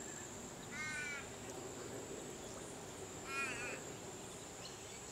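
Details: Purple swamphen at a nest during a changeover of nest duties between parents: two separate wavering, nasal squeals about two and a half seconds apart, fairly soft, with a steady high background tone.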